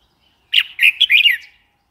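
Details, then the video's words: Single lively phrase from a red-whiskered bulbul: about five rapid, slurred whistled notes run together in a bubbly, chattering burst lasting about one second. "Red whiskered bulbul call 04"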